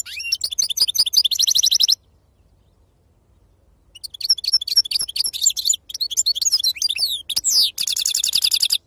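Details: Authentic wild-style 'khalwi' European goldfinch song of the 'sarfati' type: fast buzzy trills broken by a two-second silence, then rapid tinkling twitters, a sweeping slurred note and a closing dense rattling trill.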